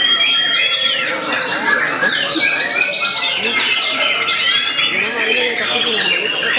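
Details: Eight- to nine-month-old white-rumped shama kept for song competitions, giving a long clear whistle followed by dense chatter, trills and varied sweeping notes at high pitch.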